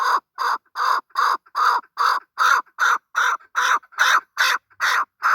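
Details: Male desi chakor giving a steady series of harsh, hoarse chuck notes, about two and a half per second, evenly spaced and mid-pitched, with a quiet background.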